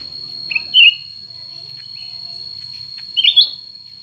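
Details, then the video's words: ['Two cucak ranting birds, new versus old, competing: a couple of whistled slurred phrases against a continuous high-pitched steady tone and low hum.'] "pertarungan antara dua burung cucak ranting baru dan lama"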